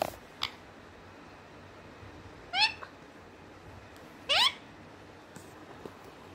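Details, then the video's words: Parrot talking, two loud upward-sweeping harmonic calls about two seconds apart, with faint clicks and ticks in between. "mithu talking"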